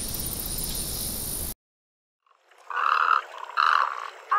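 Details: Great egret giving two rasping, throaty croaks after a brief silence, with the start of a third at the end. A hissy noise bed comes before the cut.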